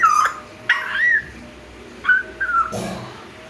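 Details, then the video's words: Three-month-old African grey parrot chick, kept in an aviary cage, learning to whistle: short clear whistled notes, some sliding up and down, given in a few separate bursts with quiet gaps and a rough squawk near the end. "Burung African grey belajar siull"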